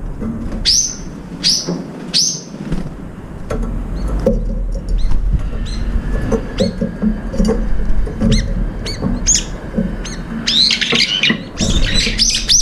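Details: At a feeder, brown-eared bulbuls fight over food, giving loud downslurred squealing calls in pairs early on, then scattered sharp notes and a harsh flurry of squeals near the end amid steady low rumbling and clatter.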